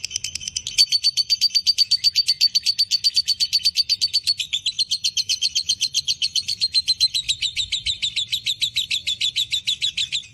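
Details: Long unbroken ngekek chatter from a breeding-condition fighter lovebird, a fast, even run of shrill clipped notes that dips slightly in pitch partway and carries on for ten seconds.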